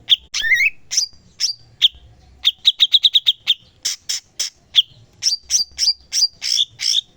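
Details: Master-song cucak cungkok bulbul in lively song: a slurred whistled phrase opens, then quick staccato chips and a fast run of repeated sharp notes, with separate high ringing notes spaced through the rest.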